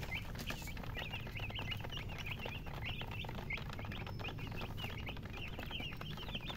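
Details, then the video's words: Young chickens chirping in a busy chorus of brief, high, wavering peeps repeated many times a second, backed by persistent low background rumble. "MURGI Baby "Chicks Chirping" Sound"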